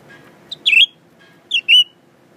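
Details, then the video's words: Caged Blue-winged leafbird, recently acquired and unafraid of humans, sings toward its reflection in a mirror: a brief high note, then two bright slurred whistles spaced roughly one second apart, with faint low background hum. "Pretty Blue Winged Leafbird Singing.. 蓝翅叶鹎爱唱歌"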